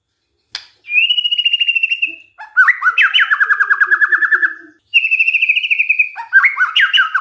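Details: White-rumped shama song played as a lure for other shamas: a sharp click, a steady sustained whistle, then a long fast rhythmic trill of repeated slurred notes, another level whistle and rising twisting notes.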